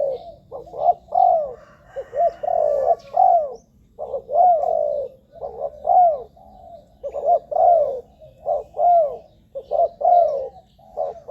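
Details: Spotted dove calling for use as a lure for wild doves: a steady series of low, soft, slightly hoarse coos, some falling at the end, grouped in short phrases about once a second.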